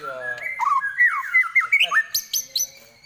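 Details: Murai batu, the white-rumped shama, delivering sliding whistles and short swooping notes, ending in sharp high chips.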